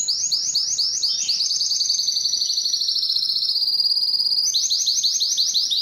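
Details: Spanish Timbrado canary singing a continuous run of rapid, metallic rolled trills, high and bright, with a long sustained roll in the middle before pulsed notes start again; a faint lower tone runs underneath briefly.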